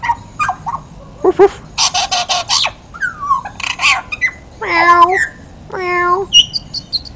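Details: A friendly butcherbird calling out for its dinner sings rich, fluty whistled phrases with short, clear notes, some rising and falling, possibly including mimicry; a person's voice and sharp noisy bursts come between phrases.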